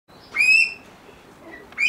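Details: Captive Elliot's pheasant at a pheasant breeding farm gives a loud, clear squealing note with rich harmonics, held about half a second with a slight rise, followed by the start of a second similar note after a quiet pause.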